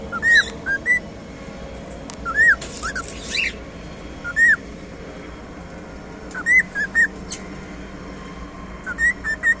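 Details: Cockatiel singing: short clear whistled notes, some rising and some falling, delivered in small clusters of two or three with pauses between, over a steady low background hum.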